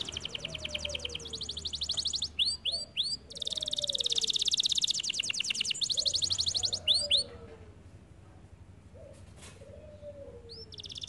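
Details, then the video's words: Canary song made of rolling buzzy trills broken by brief groups of upswept notes, then a quieter stretch with a few scattered notes; a soft low sliding whistle recurs in the background. "The canary sings beautifully"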